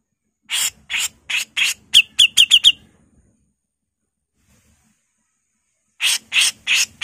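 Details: Female Grey-cheeked bulbul from Java in full rough 'mbesetan' song. Scratchy rasping notes come in a rapid series, followed by a quick run of short, clearer whistled notes. After a pause of about three seconds, the harsh notes start again.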